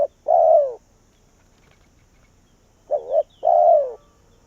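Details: Spotted dove kept as a Vietnamese decoy bird to call wild doves in. It gives a mellow falling croo, then after a pause a hurried double coo and another long downward croo, with no other sounds.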